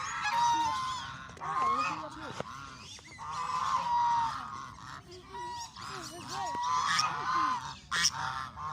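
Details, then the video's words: Canadian ducks calling when hungry: a flock gives loud, nasal honks that overlap continuously, with squealing rising notes and short barking calls mixed in throughout. "Watch what Canadian ducks do when they feel hungry. strange sounds"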